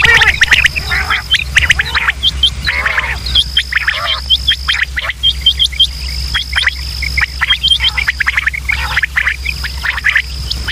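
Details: Quail give dense, overlapping chattering and squawky calls, several birds at once, with a steady thin high whine running behind them; sounds offered for quail hunting in Pakistan.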